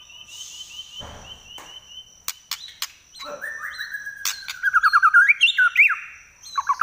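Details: White-rumped shama singing in trek style with a shrill, piercing voice: a trilled high note, scattered sharp clicks, then a rapid run of loud, rising and falling whistled notes climbing higher toward the end, over a thin steady whine.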